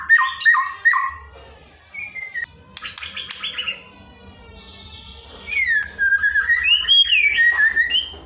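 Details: White-rumped shama filler song played to train a lazy bird to sing: short clipped whistles, scratchy harsh bursts, then a long flowing run of rising and falling whistled notes, with low background hum.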